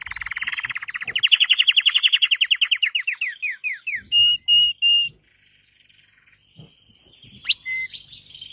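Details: Red Belgian canary: a rising rapid trill slowing into distinct slurred notes, three flat whistles, a short silence, then a lone sharp call.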